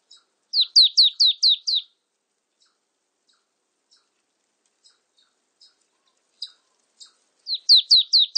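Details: Marsh tit in a 2020 recording: a rapid string of high, downslurred notes, several seconds of quiet with faint scattered ticks, then a second rapid string of the same sliding notes.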